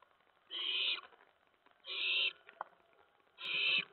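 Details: Young owls in a nest after midnight on 10 September 2017 as adults deliver mice; three loud, harsh, hissing screeches of about half a second, evenly spaced around 1.4 seconds apart, with a faint click between.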